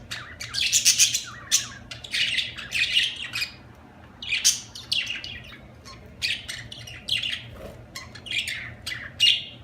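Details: Budgerigar chatter: continuous buzzy chirps, clicks and sharp squeaks in irregular bursts, with a constant low hum.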